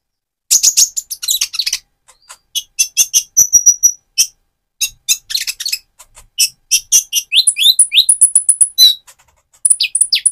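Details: Lively chattering song of a speckled-plumage Van Hasselt's sunbird, played to rouse another bird: bursts of thin, high chips and brief trills, with short upward-slurred whistles near the end.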